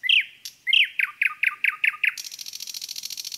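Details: Common nightingale singing in a forest: a rapid series of about eight loud, downward-slurred notes, then a fast, high, buzzy rattle. The background is quiet.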